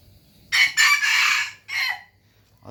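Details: Rooster gives one strong, rasping crow: a short opening note, a long sustained middle, then a falling final syllable, in otherwise quiet surroundings.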